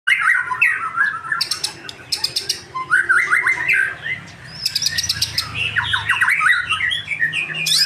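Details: Young male white-rumped shama, a pastol bird kept in captivity in Indonesia, singing energetically: bursts of rapid chattering and rising whistled phrases, with sharp clicking trills high above and short pauses between phrases.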